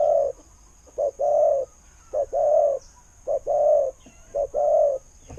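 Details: Spotted dove in the 'khu-ang' cooing style: low cooing phrases, each a short note followed by a longer, steady hollow coo, repeated about every second; a faint steady high hum in the background.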